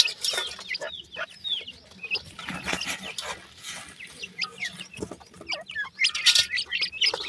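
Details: Grey francolin chicks calling in a group: high, thin peeps slide downward, some rising at the end. Clattering and knocking noises are loud, especially toward the close.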